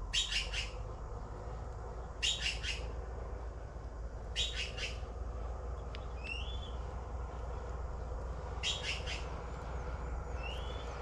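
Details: Blue magpie calling with loud, scratchy, buzzing bursts at uneven two-to-three-second gaps and a few short, upslurred whistles, over a constant low-pitched background hum.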